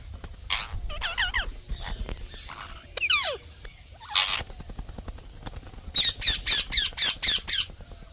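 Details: Green parrot chirping: scattered harsh squawks and downward-sliding notes over faint background noise, ending with a quick even series of about seven sharp, high chirps.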